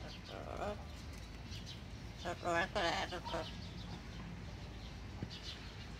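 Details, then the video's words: Pet yellow-naped amazon parrot following its owner around indoors, mumbling in low, speech-like bursts with a few brief harmonic squawks, over steady indoor background hum. "Parrot follows me around mumbling"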